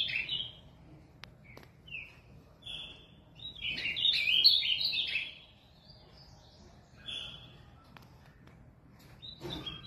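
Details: Azulão, the Ultramarine Grosbeak, a pet bird from São Paulo, Brazil, sings a series of high, sweet warbled phrases, several short ones then a longer rich burst around four seconds, with faint clicks and low room noise.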